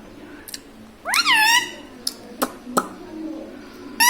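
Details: Talking pet parrot, taught to say mummy papa, gives one loud harmonic rising-then-falling syllable among soft clicks and taps indoors.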